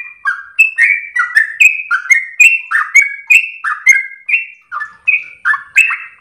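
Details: Sooty-headed bulbul, likely a kept bird, in long-breathed, melodious song meant as a master recording for training other birds; a quick run of repeated whistled notes, each with a sharp high click, alternating between two pitch levels.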